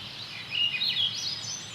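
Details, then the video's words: Swainson's thrush singing again and again in a Montana forest, its song likened to a waterfall flowing up; rising, fluty whistled phrases spiralling upward, with breeze in the trees and a nearby creek. "It's a Swainson's thrush, and I love its song. I think it sounds like a waterfall flowing up."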